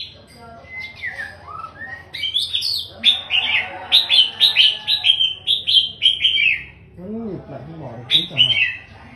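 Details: Male long-tailed white-rumped shama, a father bird kept in captivity, singing well: clear whistled phrases that rise and slide, then a fast series of bright, repeated fluty notes, with a man talking quietly in the background.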